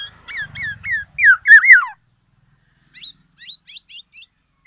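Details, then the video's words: Black-naped oriole delivering a series of rising fluty slurs that build into two loud, descending whistled notes, then a pause and several short, high, thin notes in quick succession. "SUARA BURUNG KEPODANG EMAS YANG KHAS"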